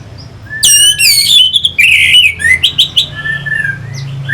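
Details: Orange-headed thrush from Singaraja, North Bali, singing a lure song meant to rouse other songbirds: loud, quick run of high descending whistled notes, then buzzy chattering phrases and varied warbles around mid-high pitch, with low hum beneath.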